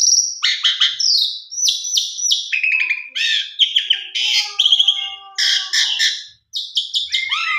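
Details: Asian pied starling singing a rich, varied lure song meant to get silent starlings singing: quick sequences of clear whistles, harsh chatters and rattling notes in short bursts, with one brief silence near the end.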